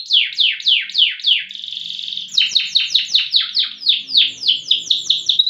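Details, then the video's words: Competition loper canary, noted for long, loud song: repeated falling sweeps about three per second, a brief steady note, then a faster series of sharp descending sweeps. "KENARI LOPER PRESTASI DURASI VOLUME LAGU MANTAP"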